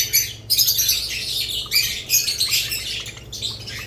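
Budgerigars keep up a busy, scratchy chatter of high chirps and squawks in overlapping bursts, several birds calling at once with no steady rhythm.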